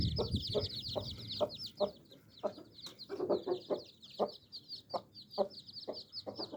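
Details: Hen mother with nine baby chicks, giving a steady series of short low clucks beneath the chicks' nonstop high-pitched cheeping, with some low rumbling at the start.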